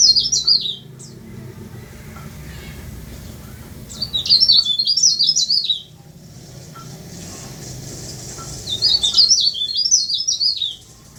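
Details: Tame leaf warbler, a keen singer, repeats a brief phrase of high zigzag notes three times, roughly every four seconds. Faint ticks and a low hum fill the gaps.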